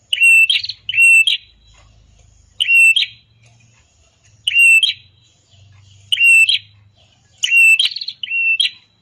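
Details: Red-headed prenjak recording meant to coax other birds into singing. Paired, strident buzzy chirps come in clusters every second or two, each opening with a thin high tick. A soft low rumble runs underneath.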